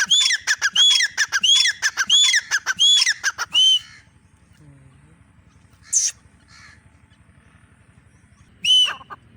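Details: Female grey francolin (teetar) calling: a rapid run of loud, harsh, ringing notes repeated in quick succession for about four seconds. After a quiet gap, two single notes follow. Faint low background noise.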